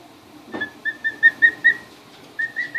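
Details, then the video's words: Two-week-old emu chicks, newly arrived, getting their first look at the house, recorded 24 February 2013: a series of clear whistled peeps on one steady pitch, about eight in quick succession, a short pause, then three more. "Emu chicks 2 weeks old"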